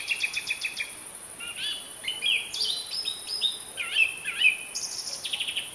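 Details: Song thrush (Turdus philomelos) singing: a quick series of repeated high piping notes, then varied whistled and slurred phrases. Some notes rise and some fall. Each phrase is short and bright, over a faint background hiss.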